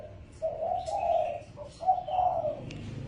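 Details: Spotted dove lure call used for luring birds: a low, hoarse cooing phrase of several soft, rolling notes that rise and fall, with a brief break before the final drawn-out coo. Faint rustling in the background.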